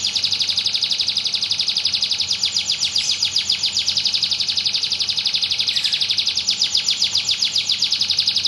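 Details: White canary singing vigorously: a loud, continuous high trilling song of rapid repeated notes, about four per second, carried on without pause throughout.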